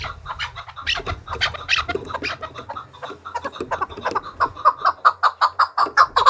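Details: Chukar partridge kept and trained to fight, calling to challenge other partridges: irregular, busy clucking at first, settling into a quick, steady series of chuck notes toward the end.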